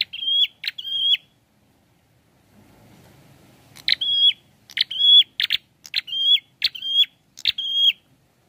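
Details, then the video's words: Repeated prinia song (prenjak kepala merah, prenjak klawu). Two buzzy-then-whistled notes, a pause with a faint low rumble, then six more of the same phrases in quick, regular succession. "SUARANYA PLONG ABISS..GACORR || PRENJAK KEPALA MERAH||PRENJAK KLAWU"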